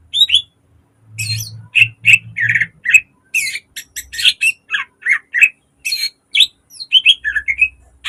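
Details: Caged green leafbird in full mimicking song used to train other birds: fast shifting chips, buzzy rasps and whistled phrases tumbling one after another, over a soft low hum in places.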